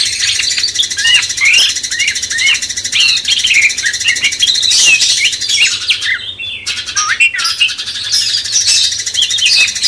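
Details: Sooty-headed bulbul master song meant to rouse a magpie-robin: a busy stream of short upslurred and looping whistled notes, several per second, above a constant high chirring wash.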